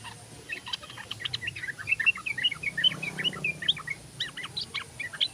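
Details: Tame sooty-headed bulbul from Indonesia singing in the rapid ropel style: a dense run of short, bright chirping notes tumbling quickly over five seconds, with soft background hiss and a faint low rumble.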